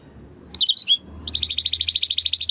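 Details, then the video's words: Belgian canary: a few wavering whistled notes, a pause, then a fast steady pulsed trill, with a faint low hum in the background. "CANÁRIO BELGA CANTANDO ESTRALANDO !"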